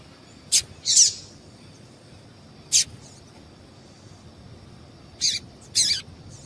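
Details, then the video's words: Calls of a female yellow-bellied seedeater meant to stir males kept for song tournaments: scattered brief, high, sharp chips, some paired, separated by pauses of one to two seconds, with a faint steady high hum behind. "Piado de Fêmea de Papa capim Para Esquentar papa capim"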